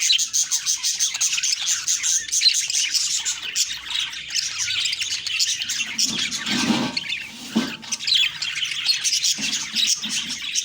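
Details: Several budgerigars chattering in the morning, a steady stream of high, raspy chirps and squawks, with a brief low rumble of background noise partway through.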